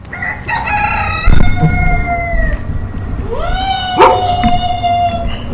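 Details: Roosters crowing in the morning: two long drawn-out crows, the first held then falling off, the second rising into a sustained note, with sharp knocks and background noise between.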